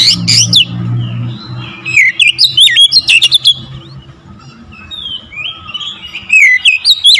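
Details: Oriental magpie-robin in loud, varied song meant to provoke other magpie-robins: sharp chirps over a low rumble, then long series of sliding, looping whistles and rapid notes, pausing briefly before resuming.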